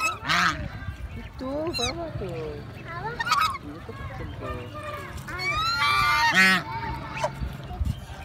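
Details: Excited goose honking from more than one bird: bursts of loud, brassy, rising-and-falling honks, including a harsh cluster near the end, over a low continuous hum.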